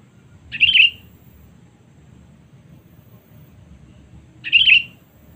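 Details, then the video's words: Sooty-headed bulbul lure for calling rivals: a pair of short warbled whistles about four seconds apart, crisp and wavering, with a steady low rumble between them. "Pikat Kutilang Cengkram Memanggil Musuh Terkuat Sepanjang Masa"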